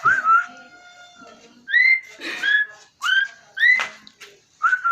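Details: Singing Asian pied starling giving clear whistled notes in short phrases, several slurring upward. A long, steady, held tone runs beneath the opening phrases.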